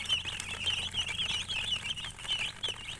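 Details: Chickens chirping, a dense chorus of short, high peeps overlapping continuously, many birds calling at once with quick rising-falling notes, over faint low rumbling background noise.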